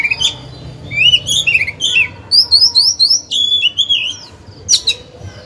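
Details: Oriental magpie-robin kept as a decoy singer, used to provoke other birds to sing; rapid varied whistled phrases, rising and falling, with many quick slurred notes and short pauses.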